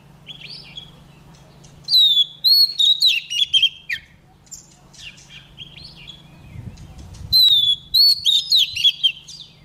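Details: Female Oriental magpie-robin singing to stir male birds into song: two bursts of varied clear whistles, slurred up and down notes and short chips, separated by a quieter gap, over a steady low hum and a brief rumble.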